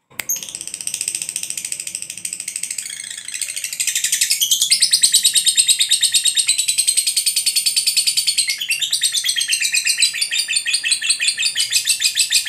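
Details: Long ngekek chattering from a lovebird meant to make other lovebirds respond, a shrill rattling stream that rises in loudness after a few seconds and continues unbroken.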